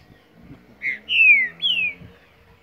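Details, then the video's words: Green-winged saltator, a young bird two years old, from Mar de Espanha, Minas Gerais: three clear whistled notes, each sliding downward, the middle one longest, with faint low rustling and background noise. "Trinca ferro the Flash!!!"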